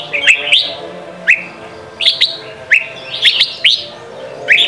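Red-whiskered bulbul giving short, bright, warbled phrases of two or three notes, repeated about every second, with a faint steady hum underneath.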